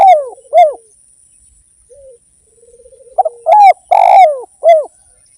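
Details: Lure song of a spotted dove in full voice: paired throaty coos, a faint low murmur, then a clipped stutter followed by a loud rough coo and a falling tail note.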